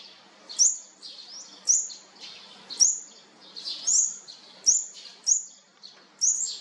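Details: Fourth-brood olive-backed sunbird nestlings being fed: shrill, high chirps about once a second, each starting with a quick upward flick, over a quiet background.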